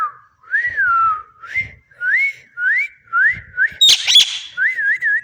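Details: Pet parrot whistling a repeated wavy, rising-and-falling tune, phrases roughly every half second to second, broken by a brief harsh squawk near the end.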